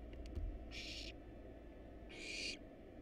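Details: Wild barn owl chicks in a nest box begging during a feeding of rat and rabbit: two loud, broad, screechy hisses about a second apart, each roughly 0.4 seconds long, with faint clicks first and a low hum beneath.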